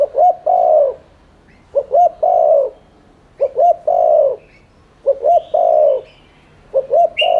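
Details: Spotted dove giving the rapid 'thúc liên thanh' cooing style, used as a lure to stir other doves into cooing: five low, mellow phrases, each a short double note followed by a drawn-out hollow coo, repeated roughly every one and a half seconds, with faint chirps above.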